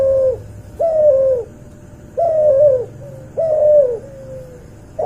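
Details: Crossbred cuhu dove from a white albino puter and a puter pelung, recorded indoors. Clear coos with a bright start, each held then dropping, with a quiet trailing note between, repeated at an uneven pace.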